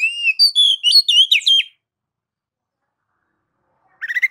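Oriental magpie-robin singing a quick run of clear, varied whistles, rising and falling, for under two seconds. After a pause, a brief burst of high notes follows.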